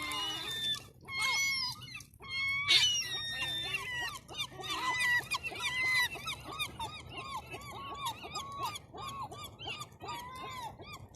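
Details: A crowd of seafront gulls on a cold Sunday afternoon calling together in overlapping harsh, arched squealing notes and sharper yelps tumbling over one another without pause.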